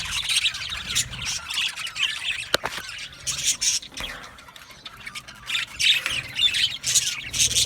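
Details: Budgerigars singing and chirping in an aviary colony: uneven bursts of scratchy warbling and squawks, with a sharp click midway and quieter gaps between louder outbursts.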